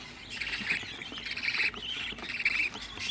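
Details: Young budgerigars raised at home, sixteen chicks in one place, giving scratchy overlapping chirps and squawky notes in an uneven chatter, somewhat muffled, with low background rustle.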